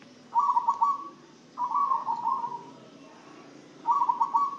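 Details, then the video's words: Zebra dove in song after a diet of blended herbal spices meant to keep it singing often; three rapid, rolling coo phrases of even pitch, separated by short pauses. "Perkutut setelah di kasih pakan racikan ramuan rempah rempah jadi rajin manggung dan sehat"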